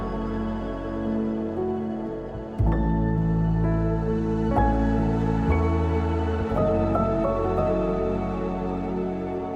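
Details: Soft ambient new-age music with sustained pads and gentle struck tones plays throughout, and no animal sounds are heard.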